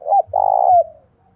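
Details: Brief cooing from a spotted dove used as a decoy to call in wild doves: a short rounded note followed by a longer, steady mellow coo that trails off downward.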